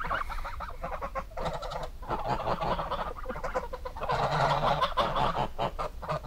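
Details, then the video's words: Busy goose honking, with many quick nasal calls overlapping into a chattering mass that swells loudest in the second half. "Gans geräusch / Gans geluid / Bruit oie / Gänse geräusche"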